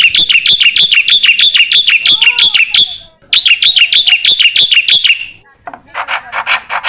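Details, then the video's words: Black-winged starling song for training songbirds: two long bursts of fast ringing, chattering notes separated by a brief gap, then a buzzy rasping phrase at the end. "MASTERAN KICAU Jalak Putih"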